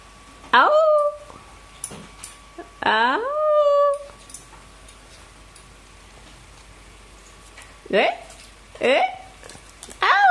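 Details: Pet sulphur-crested cockatoo indoors giving loud harsh calls that sweep down in pitch: two long cries early on, then three shorter bursts near the end, with quiet room noise between.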